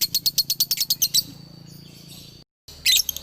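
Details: Male lovebird, Galendo Ciamis line, rattling off a short run of fast, piercing chirps that fade into soft faint notes, then a brief silence and a renewed loud burst.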